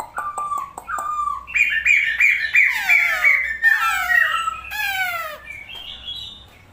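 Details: Strange-sounding bird calls: clipped whistles at first, then a string of bright, buzzy notes sliding downward, rough rasping sweeps, and a final high whistle.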